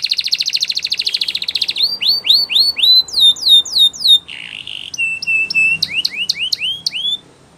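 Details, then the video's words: Training song of a Belgian canary: a rapid, rattling high trill, then a series of sharp rising whistled sweeps, a brief buzzy lower phrase, and more sweeping notes mixed with steady high tones before the song fades. "The Most Magical Training Belgian Canary"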